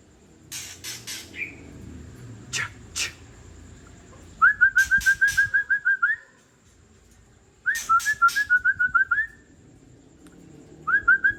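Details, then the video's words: Old wild white-rumped shama from Tangse delivering rough 'trek' calls, used to provoke other shamas: scattered sharp clicks, then three quick rattling bursts of ten or so evenly spaced clipped notes, the last cut short. "Trek Kasar Murai Ori Tua Tangse"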